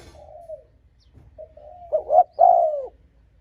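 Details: Spotted dove cooing to provoke and lure rival wild males: a soft falling coo, a few faint notes, then two short clipped notes and a louder, drawn-out descending coo.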